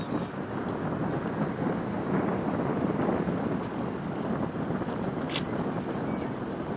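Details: Black guillemots (tysties) on the Scottish coast in June, during courtship: thin, very high whistles in quick repeated bursts, several birds overlapping, over a steady roar of surf and wind.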